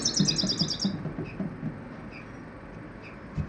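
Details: Common Iora giving a rapid, high, buzzy chattering trill of about ten notes lasting roughly one second, followed by a few faint scattered chirps over a low background hum.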